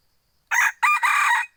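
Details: Second-generation hybrid junglefowl crowing loudly: a short coarse note followed by a long rough, slightly broken phrase, the final syllable only just beginning as the sound cuts off.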